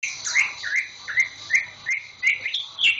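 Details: Caged green leafbird, bought only a week earlier, its tail feathers just growing in, singing diligently: a chain of bright whistled notes sliding up and down, roughly three per second, some with sharp upper flourishes.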